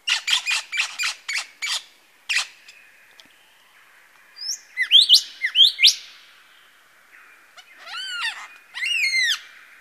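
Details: At Masons Falls in Kinglake National Park, a male lyrebird mimics various birds: a quick series of sharp repeated chips, then loud rising whistles, then ringing downslurred notes in a cluster.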